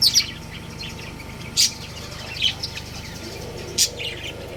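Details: Pet budgerigar breeding pair: short, loud, high chirps, a double note at the start and single ones later, with soft twittering between them and a faint hum behind.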